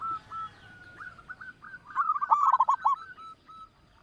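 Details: Local zebra dove song meant to draw other birds into singing: soft spaced coos build into a loud rapid run of hooked notes, then taper back to single quiet coos.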